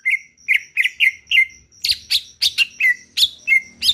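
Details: Greater green leafbird from Kalimantan singing vigorously: a run of short whistled notes near one pitch, each with a quick upward flick, then louder, harsher buzzy notes mixed with slurred whistles, repeated about every quarter second; a faint steady high tone underneath.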